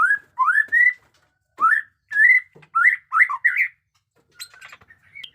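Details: White-rumped shama in newly grown plumage giving loud upslurred whistles in groups, repeated with short gaps, then softer scattered notes, in the batuk koral and muntah beling song style.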